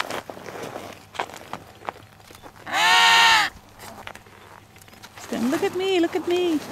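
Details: Emperor penguins on the sea ice between Cape Evans and Cape Royds, Antarctica; a loud, arching harmonic squawk of under a second, quieter murmuring, then a wavering, bending call near the end, with faint human voices.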